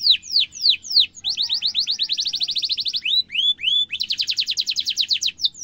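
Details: Canary delivering a long rolling song used to tutor young and adult birds; sliding down-slurred whistles lead into a fast even trill, then rising whistled notes and another rapid high roll.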